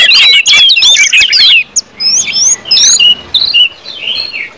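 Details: Orange-headed thrush singing in the continuous 'ngeplong' style, used as a lure to get other birds singing. A burst of dense, high, twisting whistles gives way to sparser, clear rising and falling notes.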